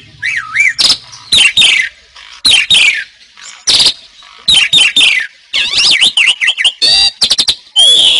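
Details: Energetic Asian pied starling song for tutoring captive birds: loud harsh squawks spaced about a second apart, then a run of warbled, wavy whistles ending in a long clear note.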